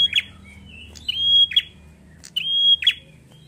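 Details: Bar-winged prinia in a vigorous 'gacor ngalun fighter' style song, used to stimulate other prinias. Each phrase is a level, high whistle ending in a harsh buzzy burst, and the phrases come in quick succession.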